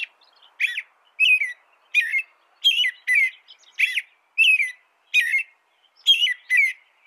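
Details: American robin delivering a steady song of about ten short, liquid whistled phrases, each a slurred up-and-down carol spaced roughly half a second apart, with faint soft chatter between them.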